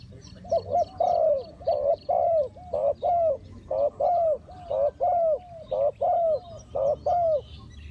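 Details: Decoy spotted dove cooing during bird trapping. Its mellow hooting notes come in quick pairs and short runs, about one per second, with faint high chirps from other birds behind.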